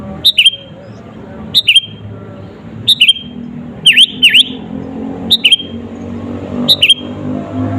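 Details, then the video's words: Repeated sooty-headed bulbul song phrases used as rival-provoking lure: seven short bursts of bubbly, dipping notes roughly once a second, two of them sharper swoops, over a low rumbling background. "SUARA BURUNG KUTILANG GACOR ASLI TAMPA ISIAN..,!!!pancinga kutilang bikin lawan emosi..."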